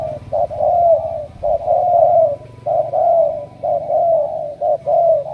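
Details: Spotted doves from Cà Mau in Vietnam cooing steadily, a crowded run of soft, husky, long coos broken by short clipped notes, with almost no gaps.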